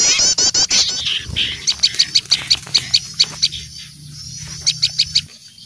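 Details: Small birds chatter in alarm, frightened at the sight of an owl: rapid, high chips about three a second, with sharp rattling bursts and squeaky twitters, used as a lure sound for wild birds.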